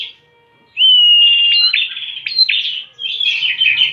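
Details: Bar-winged prinia song used as a lure. A clean upward-sweeping whistle flows into scratchy, buzzing trills, followed by a second jumbled burst.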